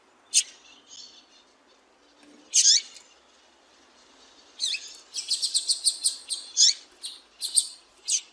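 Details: A female Double-collared Seedeater gives high, thin chips, scattered at first, then a quick run of sharp calls, over a faint background hiss. The female call is played to stimulate males to sing.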